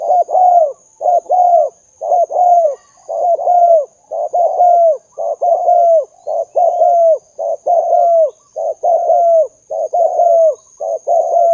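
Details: Spotted dove used to lure doves, cooing steadily: pairs of mellow, slightly falling notes repeated almost once a second for over eleven seconds, clear and close, with a faint constant high-pitched whine.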